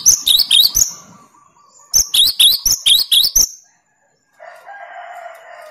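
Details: Cinereous tit singing a rapid 'tembakan' shooting song meant to unsettle rival birds: two bursts of sharp, high paired notes, seven then eight, separated by a pause, ending with a low buzzy hum.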